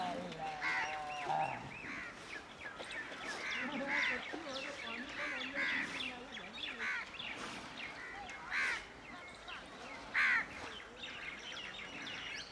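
A flock of plum-headed parakeets keeps up overlapping shrill, squeaky calls and short chattering notes, with louder bursts every few seconds over a steady background hiss.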